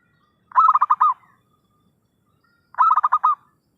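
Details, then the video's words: Trapping lure call of a zebra dove: two short bursts of quick, rolling coos, five or six pulsed notes each, a little over two seconds apart, with near-silence between them. "suara pikat perkutut gacorr....!!"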